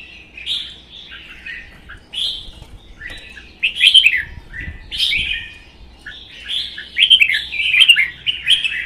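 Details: Red-whiskered bulbuls in a singing duel in Vietnam; a wild-caught bird kept one season spreads its tail stiffly. Busy sequences of crisp, tumbling whistled notes come in repeated short bursts, building louder toward the end.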